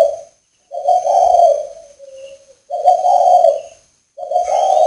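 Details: Northern Vietnamese spotted dove at a breeding establishment, recorded while it rained. It gives three rolling, gravelly coos with a short quiet note tucked between the first two. Faint high tones sound behind.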